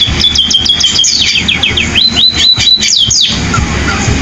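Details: Sparrow in canary-like song: a rapid string of high chirps flowing into repeated swooping whistled notes, ending abruptly, leaving only a low background hum.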